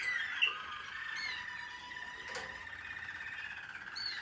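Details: American Singer canary in training, 2021, with a continuous ringing song of held tones and gentle trills, opening with a sharp chirp and ending on a high whistled note.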